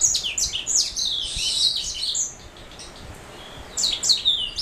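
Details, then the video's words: Singing black throat mule, a canary hybrid cross: a busy phrase of high chirps and sliding whistles, then about a second of near quiet before a fresh twittering phrase begins. "Black throat mule"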